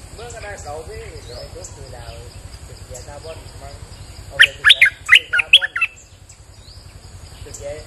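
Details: Bulbul in rainy weather giving a short, energetic burst of chattering whistled notes after a stretch of human speech, followed by quieter background.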